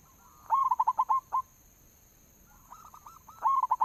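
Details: Local zebra dove lure call: a strong run of about seven rapid rolling notes, a pause, then another phrase building up at the end.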